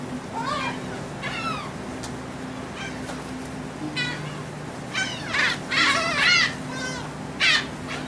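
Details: Gulls taking food aboard a ferry from Texel island, Netherlands, on 28 March 2014: scattered squealing, rising-falling cries, bunching into a noisy cluster near the end, with a constant low ship hum.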